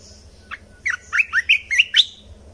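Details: Red-whiskered bulbul song recording used to train young birds and excite caged birds: about six loud, slurred whistled notes from 0.5 s, each sweeping between mid and high pitch, spaced roughly a quarter-second apart, on a quiet background.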